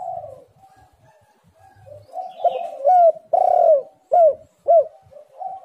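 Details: Spotted dove in persistent, lively song, used as a lure to prompt reluctant doves to call. Soft low cooing builds into loud, clipped hoots, with a long swelling coo and then three sharp downslurred notes.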